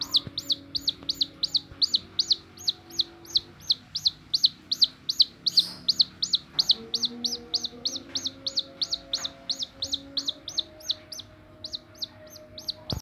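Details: Chicken chick sticking close to the person raising it and running to the hand. Long steady stream of loud shrill peeps, nearly three per second, with low background hum throughout.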